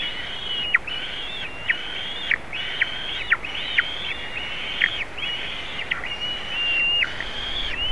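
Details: White-tailed eagles in Latvia, 27 June 2019, as a juvenile visits eaglets at the nest; a steady run of thin, high, drawn-out yelps with sharp downward ends, roughly one every half second, over faint background hiss.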